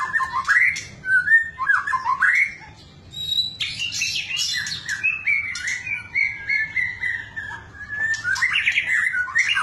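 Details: White-rumped shama (murai batu) singing a bait song used to make other shamas sing strongly. Rich, varied stream of loud whistles, rising and falling slurs, and sharp high chips, with a brief quieter pause early on.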